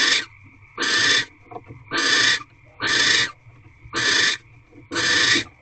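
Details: Mating-ritual screeches of a barn owl in an owl box, twelfth night, 1 March 2023 at 6:42 pm: five loud, hissing, broadband screeches, each about half a second long, spaced almost exactly one second apart over a faint hum.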